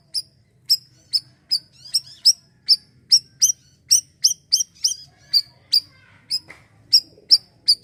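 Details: Asian glossy starling in the siri-siri style, used for training young birds: sharp, high, clipped chirps repeated steadily about twice a second, each a bright metallic note, with a faint low hum underneath.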